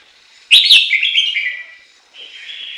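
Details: Chinese hwamei in Japan delivering a loud, rich whistled phrase that starts sharply and falls away, followed by a quieter sustained warble.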